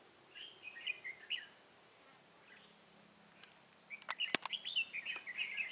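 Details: Red-whiskered bulbul decoy bird from Cao Phong used to trap wild bulbuls, 23 August 2018; warbled chirping phrases at the start, a quiet gap, then sharp clicks and knocks mixed with a quick, busy burst of twittering notes.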